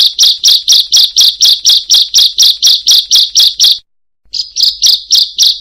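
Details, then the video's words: A bar-winged prinia gives its open-beak call, used as a lure for tutoring other birds: a rapid run of sharp, high chipping notes, about six per second, stopping briefly and then starting again. "Suara Ciblek Buka Paruh"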